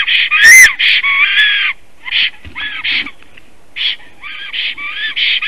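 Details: Black stork in Latvia, newly arrived at its nest on 17 April 2019 at 15:51 and singing a long song: wheezy, hoarse whistled notes with rising and falling tones in uneven bursts, broken by short pauses and a harsh broadband rasp.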